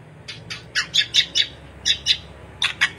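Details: White-rumped shama, a master recording for training other birds: a series of harsh, scratchy notes given in uneven groups of two to four, about four per second, over a faint low background hum.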